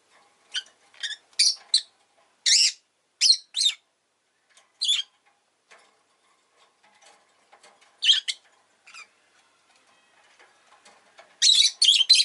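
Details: Rosy-faced lovebird kept as a pet chirping in short bursts of harsh, high buzzy notes, grouped in twos and threes with quiet gaps, ending in a rapid chattering run.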